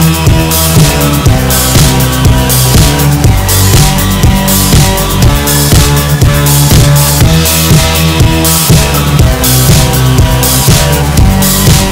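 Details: Loud rock music with heavy drums and bass fills the clip; no animal sound is heard.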